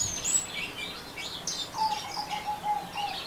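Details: Orange-headed thrush in ngeriwik song, high thin squeaks and scratchy notes, joined midway by a series of lower, clear whistled notes held evenly for a second or more.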